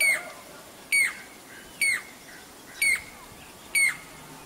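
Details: Jacobin cuckoo, also called crested pied cuckoo, calling: five loud, sharp ringing notes with a clear whistled core, repeated roughly once a second at a steady pace over a soft rustling background.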